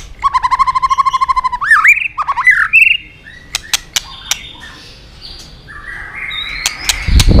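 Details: White-rumped shama song used as filler material to train other shamas: a rapid, even trill of repeated notes, then twisting whistled slurs, followed by sparse clicks and a thin high whistle before a thump.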